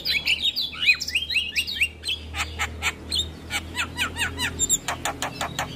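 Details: Morning song from a male Javan myna in full voice with fill-in phrases: a quick run of chirpy up-and-down whistles, then a long series of dry clicks and short squeaks over a steady low hum.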